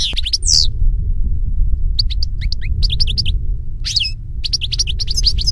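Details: European goldfinch singing in nature: rapid bursts of bright twittering notes and short buzzy trills, broken by brief pauses, over a steady low rumble.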